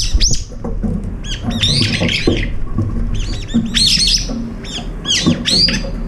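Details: Feeding brown-eared bulbuls, as many as five eating together and quarrelling, utter shrill, curving screeches in quick clusters, loud at the start and again in the second half, over faint low background noise.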